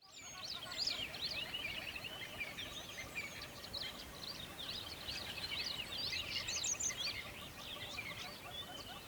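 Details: Birds singing together in a dense chorus of high, quick chirps and twitters, about three per second and irregular, over a steady broadband hiss of background noise.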